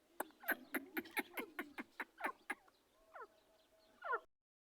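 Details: A pair of partridges (teetar) kept as birds: a rapid series of about twelve sharp clicking notes, then a few descending harsh calls with a steady tone between them.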